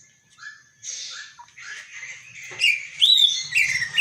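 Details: Caged male-trained Greater Green Leafbird singing in the early morning under overcast skies after about an hour outdoors, not yet fed crickets: a quick, varied run of piercing high whistles, chirps and sweeping notes, growing louder toward the end.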